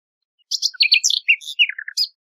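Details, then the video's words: Nightingale song, given as a song tape: a quick run of varied chirps and short trills, some high and sharp, others sliding down through mid-pitched notes, with clean silence behind. "شريط تغريد عندليب"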